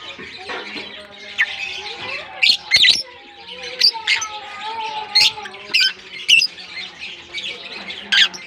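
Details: Several African lovebirds in a colony give piercing squawks roughly every second amid busy high chattering, with some lower tonal notes underneath.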